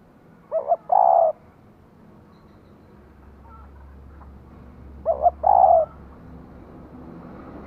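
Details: Female spotted dove kept as a decoy, cooing to rouse a male. Two short phrases about five seconds apart, each a stuttered double note then a longer husky coo, with a low hum in the pause.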